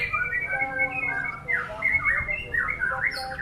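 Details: Brief white-rumped shama phrase of sustained clear whistles followed by swooping, slurred notes and a high rising ending.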